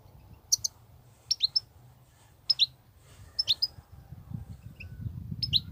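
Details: Wild goldfinch in continuous 'batbatat' singing: sharp doubled high notes repeated about every second, each pair a quick downward flick, with faint low rumble growing louder in the last two seconds.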